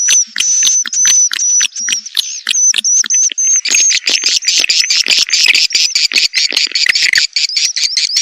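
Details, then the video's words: Lure call of the edible-nest swiftlet, a mating call meant to bring swiftlets to a nest house. Sharp clicks and level whistled notes repeat rapidly, then build into a thick, continuous high chattering chorus. "Suara Panggil Walet B1RAHI"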